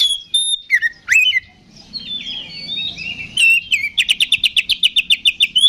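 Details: Oriental magpie-robin in aggressive ngeplong song, used to stir other magpie-robins to fight: high whistles and slurred phrases, a warbled passage, then about a dozen fast identical notes repeated in a steady run.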